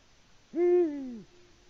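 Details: Eurasian eagle-owl male in Latvia, evening of 6 March 2019, hooting for a female that does not reply: one low, mellow hoot lasting under a second, steady at first and then dropping in pitch before stopping, otherwise quiet.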